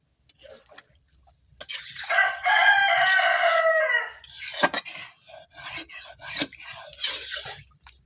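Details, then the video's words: A village rooster gives a long, harsh, harmonic crow that falls in pitch, followed by scattered clucks from the chickens; the rooster had been calling repeatedly. "আসলে ভিডিওতে আমি কি কথা বলবো, আমাদের মোরগ এবং মুরগি তারাই কথা বলে কুল পাচ্ছে না।"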